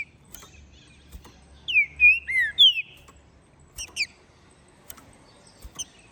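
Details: Green-winged saltator, captive-bred and ringed, from Minas Gerais, singing hard after its moult; a phrase of four loud, rich, descending slurred whistles, followed by brief higher chips and clicks.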